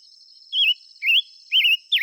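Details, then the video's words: Five-coloured bird song of four wavy whistled notes, some rising and some trilling, repeated roughly every half second over an unbroken shrill insect-like background tone. "tiếng chim ngũ sắc hót chuẩn muồi gọi buổi.."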